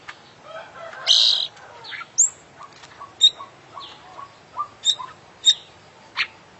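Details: Champion kacer, the oriental magpie-robin, in full isian song: a loud harsh burst, then a lively series of sharp high whistles and slurred chips repeated roughly every half second.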